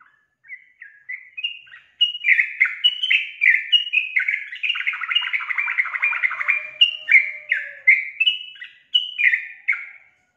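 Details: Yellow-vented bulbul singing hard: a few spaced liquid notes swell into a thick run of overlapping chattering whistles, then ease back into separate falling, bubbly phrases; a soft low tone is briefly audible.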